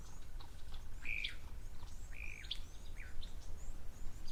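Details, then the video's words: Red-billed buffalo weavers calling at an African waterhole on 13 July 2024: short whistled and chirping notes around the middle, several birds overlapping, over a steady low rumble of background noise. "there's red-billed buffalo weavers that you can hear calling too."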